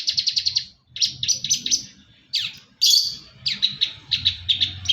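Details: Rapid full isian song from a Long-tailed shrike in East Java: fast trills of evenly spaced sharp notes, a pause, then a loud downward squeal and more quick ticking repetitions over a low hum.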